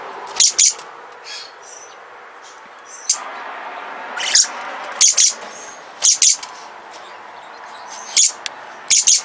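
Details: A recently acquired pair of caged little lorikeets, a small Australian lorikeet, giving shrill, very high screeches in short bursts, often doubled, repeated every second or so over a quiet, faintly hissy room background.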